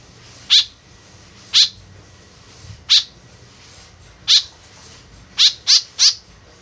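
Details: White-breasted woodswallow (kekep babi), an eager caller used as a lure, gives four spaced rasping notes, then three in quick succession at the end.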